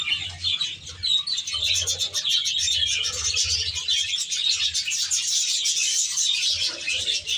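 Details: A flock of Australian budgerigars kept in an aviary keeps up constant squeaky twittering and warbled chatter, overlapping voices with no pause, accompanied by a pulsing low hum.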